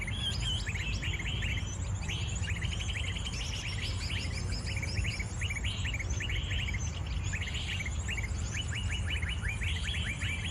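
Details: Wild bird, angry during capture, giving rapid series of sharp, high chirps in repeated bursts, many similar callers overlapping, over steady low rumble of background noise.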